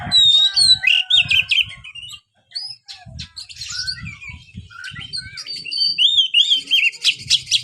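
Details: Kacer, or white-rumped shama, kept in a cage, singing loud clear whistled phrases with rolling up-and-down notes and bursts of chips, soft low thumping beneath.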